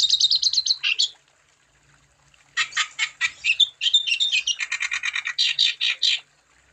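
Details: Wambi song used to encourage other wambi birds to sing: a short high twittering trill, a pause of over a second, then harsh, rapid chattering phrases, some lower and buzzier.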